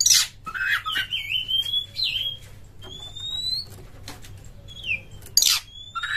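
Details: Kacer, the Oriental magpie-robin, gives sparse, clear whistles, long slurred and slightly rising or falling notes spaced apart, between a few sharp harsh bursts at the start and near the end.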